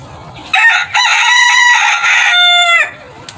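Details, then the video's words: Rooster crowing in the morning, a single loud harmonic crow lasting over two seconds, rising at the start, holding steady, then dropping sharply at the end, with faint background noise before and after. "roosters crowing sound | crowing roosters"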